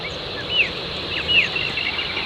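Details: Rainbow Bee-eater (Merops ornatus) perched on a power line at Red Rock Heath, New South Wales, Australia, where the birds arrive to breed: two short, high, rolling cricket-like trills about a second apart, with faint softer chirps over a steady hiss.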